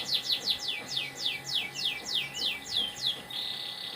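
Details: Morning song of a canary: about a dozen clear descending whistled sweeps, evenly spaced roughly three per second, ending in a sustained rapid trill; faint steady hum behind.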